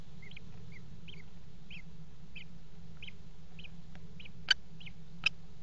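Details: Common kestrels mating at the edge of a nest box in the Axel water tower, February 2018: a run of short, thin, rising-falling notes repeated about twice a second, then two sharp knocks within the box.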